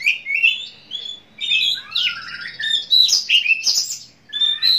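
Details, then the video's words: An Oriental magpie-robin's lure song, played before a contest bird is hung on the pole to get it singing in the field. It is a rich, varied run of whistles, slurred rising notes and harsh chattering phrases in quick bursts, high and loud throughout. "PANCINGAN KACER SEBELUM NAIK GANTANGAN AGAR MAU BUNYI"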